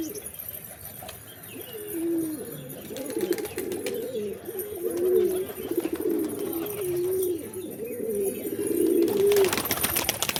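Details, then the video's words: Several pigeons coo continuously in low, wavering, overlapping phrases, with a faint crackle and hiss toward the end. "Pigeons | Cat Tv For Cats To Watch Birds | Beautiful Birds chirping Sound"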